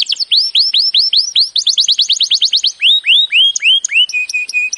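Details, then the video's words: Training song of a canary: series of upward-sweeping whistled notes, then a fast run of repeated chips, more rising whistles and a final flat high tone. "Birds song Canary ❗suara Burung Kenari !!"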